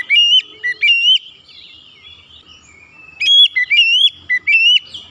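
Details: Song of a white-rumped shama, used to coax other birds to sing; two bursts of bright whistled notes, each a short run of rising slurs and sustained ringing tones, with a faint rhythmic ticking behind.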